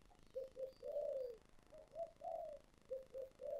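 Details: Spotted dove in the 'giọng thổ sấm' style, heard more distantly: soft low coos in a stuttering series with a longer drawn-out coo, then the phrase repeating, over a steady background hiss.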